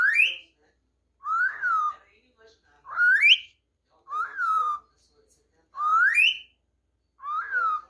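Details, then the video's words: Pet cockatiel that sings and talks, whistling a tune: clear whistled phrases alternating between a sharply rising sweep and a rise-then-fall note, repeated about every 1.5 seconds in a quiet room. "CALOPSITA + CANTANTE do BRASIL COCKATAIL SINGING"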